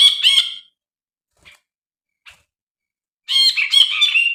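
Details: Brinji bulbul on a lure recording. Loose squeaky and buzzy notes come in two short bursts with faint ticks in the silence between them. The pattern is less regular than a steady chatter, with varied rising and falling squeaks.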